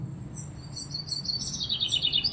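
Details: Common chaffinch (Fringilla coelebs) song: a quick, bright series of notes tumbling downward and ending in a small upward flourish, over a faint low rumble.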